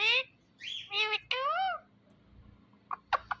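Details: Indian ringneck parakeet, a pet talking parrot, speaking a run of short, high-pitched, word-like phrases with sliding rising and falling tones, then a pause and three brief sharp chirps near the end.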